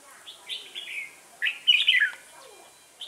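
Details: Red-whiskered bulbul singing at a trapping site with a decoy bird, Vietnam, 1 October 2018; slurred whistled notes followed by a loud, tumbling burst of chirpy warbles, then a single short whistle.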